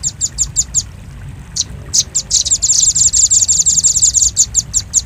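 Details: Bird-luring sound of a velvet-fronted nuthatch. A few evenly spaced high chips, a short gap, then a quickening, tightly packed series of shrill notes that loosens again at the end.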